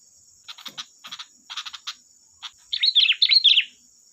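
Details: Sooty-headed bulbul lure song: a run of dry, clicking chips at an uneven pace, then a louder, rich warbled flourish of rising and falling notes, over a steady high hum.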